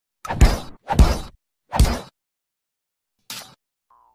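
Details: Three heavy, booming thuds in quick succession, then a lighter knock and a brief faint tone, with silence between; no animal voice.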